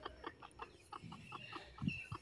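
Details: Newly hatched native (deshi) chickens, a fresh brood hatched at home in Bangladesh; a steady series of short repeated chirps, several per second, with soft low clucking underneath.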